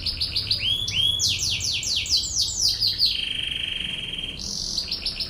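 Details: A canary delivers chains of quick downward-swept chirps, then a long flat trill and renewed high sweeps, in this training recording of its 'tembakan ngebren' rolling song; background quiet apart from a faint hum.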